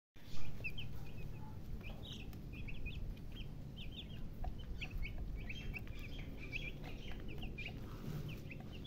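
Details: Baby chickens peeping in a dense, constant chorus of short, high chirps, many overlapping and often slurred downward, against a steady low rumble of background noise.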